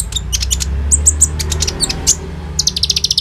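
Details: Common iora in full song, played as a lure to make ninja sunbirds sing and recorded on an Oppo A37f: clipped high chirps and short whistles, ending with a fast rhythmic series of bright notes, over a noticeable low hum.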